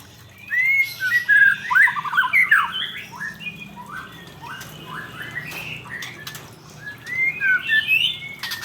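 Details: Male white-rumped shama song in loose bursts of bright whistled and slurred notes, with quieter scratchy fragments between louder phrases and a faint low hum behind.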